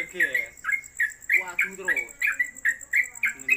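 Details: Caged trucuk, or Yellow-vented Bulbul, hung on a gantangan at home, giving its rapid long-running 'konslet kemedol' song: a dozen bright chirped notes in quick succession, with a lower murmuring sound underneath and a thin constant high tone.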